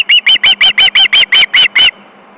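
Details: Osprey chick screaming on its nest in Estonia, 22 August 2012 at 13:18, a nest with three chicks: ten shrill, piercing notes repeated rapidly, about five per second, then silence apart from faint background hiss.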